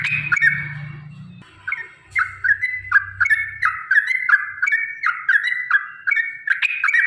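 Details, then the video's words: Long 'ropel' song of a yellow-vented bulbul used to provoke caged birds into singing: after a low hum fades, liquid whistled phrases sweep downward, repeated roughly every half second. "trucukan gacor TARUNG ROPEL PANJANG pancingan trucukan agar bunyi jadikan burung trucuk gacor EMOSI"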